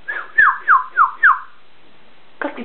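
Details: Pet macaw indoors, prompted by its owner to perform: four clear whistled notes, each sliding down from high to lower pitch, evenly spaced about a third of a second apart, followed by a short rough squawk.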